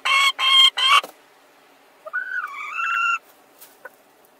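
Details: Hens competing for the same laying spot at once give three loud, harsh squawks in quick succession, a short pause, then one longer wavering cry that rises and dips before ending abruptly.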